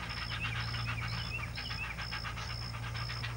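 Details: Two great blue heron chicks begging at the nest while being fed, a fast, rasping quack-like call repeated about four times per second, over a steady high pulsing tone and low background hum.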